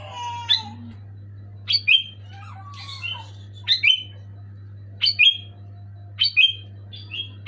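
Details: Sooty-headed bulbul, recorded to prompt silent caged bulbuls to sing. Sharp chirps followed by brief falling whistles recur about once a second, with a few lower slurred whistles early on and a constant low hum.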